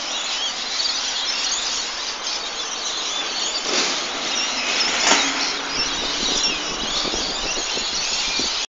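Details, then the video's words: Many lorikeets calling at once in the evening, making a dense, unbroken wall of shrill, screechy chirps with no pauses over a faint low hum. "Lorikeets chirping in evening"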